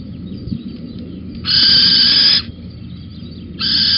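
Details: Little owl on a beam at Holten, 19 May 2020, 11:37: two harsh, hissing screeches, each about one second long, separated by a two-second pause, over a low background rumble.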